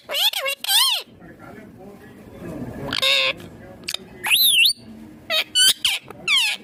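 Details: Indian ringneck green parrot talking in quick, wavering, voice-like syllables and high swooping squeaks, broken by soft rustling pauses.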